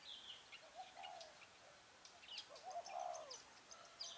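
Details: A spotted dove coos in soft, low phrases, heard twice, amid thin high chirps of other small birds, during dove trapping with a decoy bird in Vietnam on 10 December 2020.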